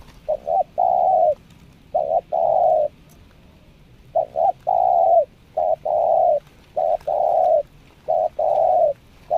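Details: A spotted dove being trained as a lure bird sings nekan nguku, selang nguku and Meratus nguku coos. Its mellow phrases come in a steady series: a short double note, then a longer sustained coo, over quiet background.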